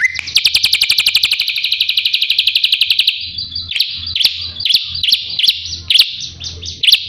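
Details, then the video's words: Drongo singing as training material for a white-rumped shama: a rising, rapid buzzy trill lasting about three seconds, followed by separate sharp, clipped notes spaced roughly half a second apart. "Burung srigunting masteran untuk murai batu"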